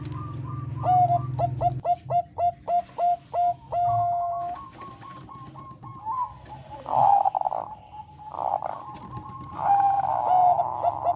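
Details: Bangkok-type zebra dove singing a melodious song meant to raise breeding desire: a quick run of short clipped coos, then longer drawn-out cooing notes, over a steady low hum.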